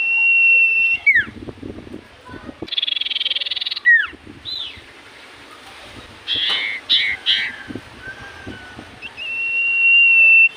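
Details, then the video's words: Common iora singing in full voice over a background hum: a level whistle and downward slur, a buzzy trill, more slurred notes, scattered chatter, and a final long steady whistle. "Burung sirtu cipoh gacor hitungan detik burung cipoh apapun pasti Langsung nyaut"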